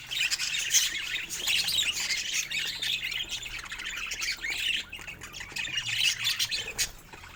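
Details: A group of happy pet budgies warbling and squawking continuously in a high, grating chorus, which thins briefly near the end.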